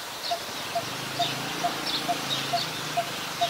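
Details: Coppersmith barbet, a very common resident, recorded in Ubon Ratchathani, Thailand, on 1 February 2020: low, hollow single notes repeated steadily about twice a second, eight in all, over a constant high insect hiss and faint low hum.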